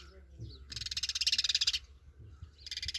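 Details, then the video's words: A rapid, rattling buzz from a sparrow lasting about a second, then a second burst starting at the end, with faint low background noise. "Funny Sparrow"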